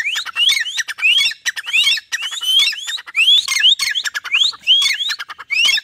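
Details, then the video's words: Partridge (desi teetar) trained to call on its owner's whistle, sitting under a tree in green surroundings; dense overlapping rising whistles and sharp clicking notes follow one another rapidly throughout. "teetar ki awaz | desi teetar | teetar awaz | teetar voice"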